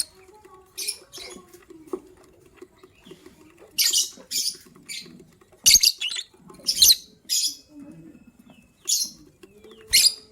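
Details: Morning chirping of lovebirds, gray and yellow-green, one about to lay eggs; harsh, high, scratchy chirps repeated irregularly about once a second, some in quick doubles, with faint low rustling between.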